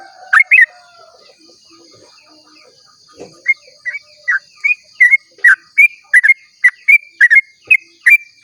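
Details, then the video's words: Sooty-headed bulbul singing long rapid song at dawn, meant to draw other bulbuls into singing; two opening whistles, a pause with a soft thud, then a steady train of bright upslurred notes about three per second. "pancingan trucuk ropel panjang cengkok termerdu saat subuh"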